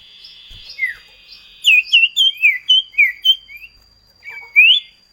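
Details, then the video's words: Common iora duet meant to lure kept birds into song: a burst of about eight chirpy whistled notes, then a single rising whistle. "Masteran burung CIPOH KACAT gacor ngerol duet pancingan"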